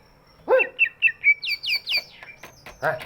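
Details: Big-bodied greater green leafbird singing, its voice used to prompt other birds that are reluctant to sing; a low rough note opens, then quick whistled slurred notes rising and falling, about eight in three seconds.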